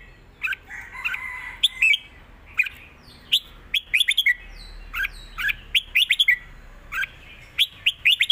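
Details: Red-whiskered bulbul singing clear southern 'mae bot' style 'rik' song: repeated crisp, bubbly phrases of three to five notes, about one every second, with slight background hiss.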